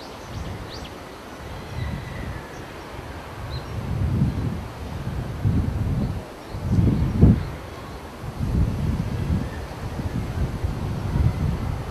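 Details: Low wind rumble and rustling fill the recording, with no clear animal calls.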